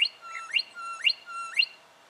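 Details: Juvenile brown goshawk recorded in Victoria, Australia, in October 2011: a steady whistled note that jumps sharply upward into a brief bright, harmonic-rich peak, repeated about every half second, three or four times.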